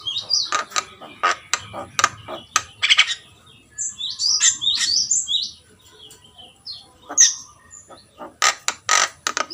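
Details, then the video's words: Lively song of a Javan myna (jalak kebo) in gacor form, with rapid harsh chatter, squeaky high whistles in the middle and a fresh burst of loud clicking notes near the end. "jalak gacor || suara asli jalak kebo"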